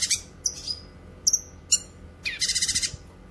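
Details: Cucak kinoy song for training and luring: a few high slurred whistles and clipped notes, ending in a rapid harsh rattling burst of about eight pulses.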